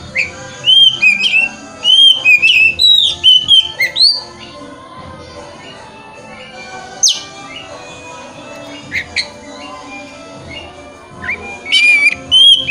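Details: Oriental magpie-robin song used as a lure to make a bird spread its tail and sing: bursts of loud clear whistled phrases with sharp upward sweeps, pauses between, and faint background noise.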